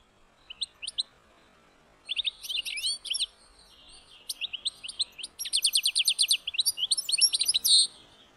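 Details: A European goldfinch (Carduelis carduelis) sings quick bursts of bright, tinkling twitters and liquid trills, the phrases growing longer and fuller toward the end, over a quiet background.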